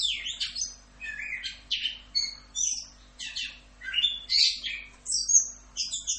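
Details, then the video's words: Orange-headed thrush singing a fast continuous 'rock'n roll' style song: varied high whistles, slurred rising and falling notes and short buzzy bursts in quick phrases, with a faint steady low hum behind. "MASTERAN ANIS KEMBANG FULL Rock'n Roll"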